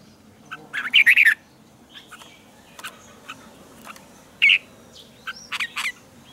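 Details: A red-whiskered bulbul gives lively morning training song in the tense double twisted-note style. One dense warbled burst opens the passage, followed by scattered single chirps and a second short phrase.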